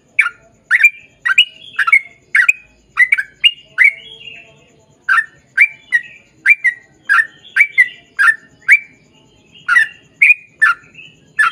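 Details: Sooty-headed bulbul in lively, vigorous long rapid song, used as a lure to prompt others of its kind to sing back: short chirpy, slightly squawky notes repeated about twice a second, with a brief pause midway.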